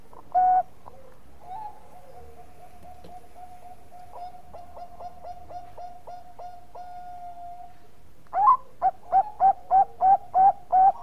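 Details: Bangkok-type zebra dove, singing as a lure: a single coo, a long soft steady tone with faint ticking, then a burst of about nine quick bright coos, the first flicking upward.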